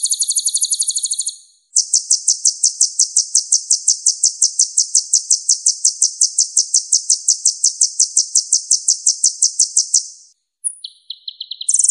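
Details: Purple-throated sunbird, known in East Java as kolibri ninja, a green-crowned, red-breasted bird said to mimic other birds fluently, giving very high, rapid trills of even pulses, one long run of about eight seconds, then short higher bursts.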